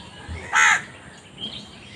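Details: Crow giving one short, harsh, hoarse caw lasting about a quarter second, followed by a quiet background with faint distant chirps.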